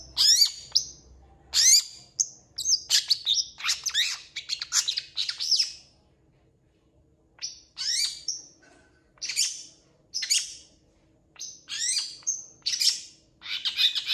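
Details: Long-tailed shrike in energetic song, imitating cats and chickens among its mimicked sounds. Bursts of scratchy, sweeping phrases come in several groups separated by short pauses.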